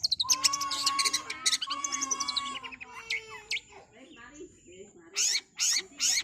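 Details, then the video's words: Long-tailed shrike in fast song: rich ringing, tonal phrases and quick chips at first, then quieter twittering, ending with three loud, harsh, high bursts. "Cendet Super Speed"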